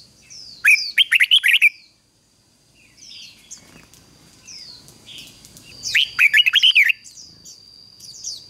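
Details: Red-whiskered bulbul decoy singing to lure wild birds: two rich, rapid warbled phrases about five seconds apart, each of several rising-falling notes, with high chirps between them and a faint steady whine.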